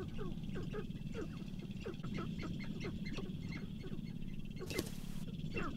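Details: At a spring lek in the Namekagon Barrens, Wisconsin, where males display for hens, Sharp-tailed grouse give a steady chorus of short clucks and cackles, several each second, over a low rumbling background and a brief rustling burst.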